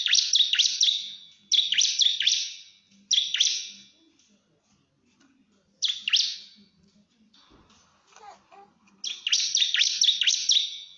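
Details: Bar-winged prinia calling a rival, answered by another prinia: bursts of sharp, high, buzzy chirps in rapid series, each burst about a second long, separated by short pauses, with faint low background noise.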